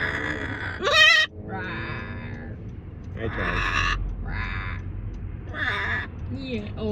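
A macaw gives a loud, harsh squawk early on, then several shorter raspy, speech-like calls, with a person talking softly in between.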